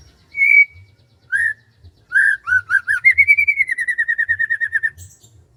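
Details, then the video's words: Morning in a rice field with a bird singing: a few separate whistled notes, then a fast, steady trill of about twenty repeated notes that slowly falls in pitch, over a quiet low background hum. "SUASANA PAGI DI SAWAH SAMBIL DENGERIN KICAUAN BURUNG"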